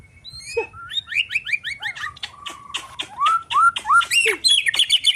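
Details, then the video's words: White-rumped shama singing in an agitated mood: rapid sequences of short upslurred and downslurred whistles, a steady held note, then louder rising whistles and dense high chatter building at the close. "MURAI BATU EMOSI"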